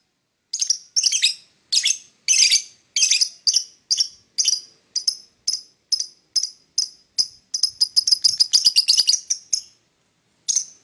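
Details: Morning chirping from a lovebird, a long run of sharp, high, clipped notes, roughly three per second, speeding into a dense chatter before a pause and one last chirp.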